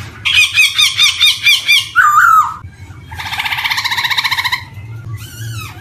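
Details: Black-throated laughingthrush (poksay hitam) sounds used as a lure for young birds starting to sing: harsh, buzzy, pulsing rattles in two long bursts, broken by a brief slurred whistle, with a soft background hum.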